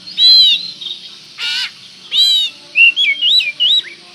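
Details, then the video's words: Lure song of an oriental magpie-robin, aimed at provoking another of its kind: harsh, ringing rasps and a noisy burst, then four bright, looping whistled phrases in quick succession, with a low hum beneath. "pancingan burung Kacer gacor ini bisa mendobrak emosi Kacer anda"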